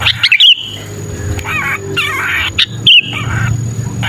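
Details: Sooty-headed bulbul distress 'kejepit' lure for bulbuls: two crisp whistled trills about two seconds apart, between them softer twisting chattery notes, a faint continuous high tone, and low hum.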